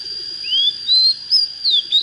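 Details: Young Oriental magpie-robin beginning to come into fire sings a brief run of sweet, sliding whistles, rising then dipping, against a constant high tone.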